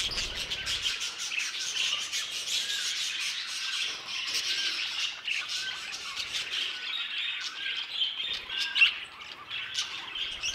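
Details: Budgerigars calling in an aviary, a sustained chorus of shrill chirps and scratchy, squawky warbles from many birds at once.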